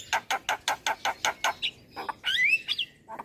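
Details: Song of a black-winged myna used as a lure for young birds: about eight evenly spaced harsh, buzzy notes, then a rising whistled slur and a few scratchy calls.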